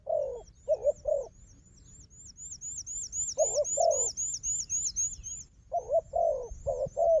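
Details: A fighting wild dove and a strong decoy dove. Low, throaty coos come in three separate clusters, while a high, rapid chain of repeated whistled notes from another bird runs through the middle.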